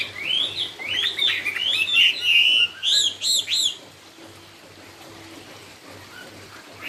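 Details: Cao cầu style song of a Chinese hwamei: a burst of loud, rich whistled and slurred notes, with several arching phrases, lasting nearly four seconds before fading to quiet background.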